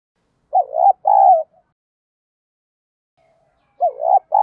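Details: Spotted dove (cu gáy) with a 'giọng đồng' voice, a calling coo used to train decoy birds: two husky two-part coo phrases, the first dipping then rising, the second a steady falling hoot, with a long silent gap between.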